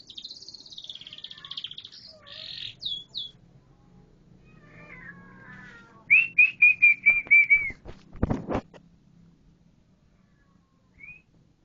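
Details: Canary song beginning with a buzzy high tour and short notes, then a clear run of about eight evenly repeated whistled notes, followed by a loud sudden knock and one last faint whistle.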